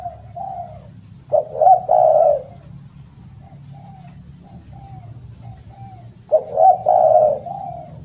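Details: Spotted dove calling loudly and melodiously, used as a lure and tutor for silent doves: low throaty coo phrases of two or three notes, separated by long runs of softer, fainter cooing.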